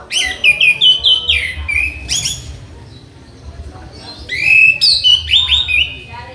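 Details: Orange-headed thrush singing a training tutor song: two rich bursts of sliding whistles mixed with harsh buzzy trills, separated by a quiet gap of about two seconds, with low background hum.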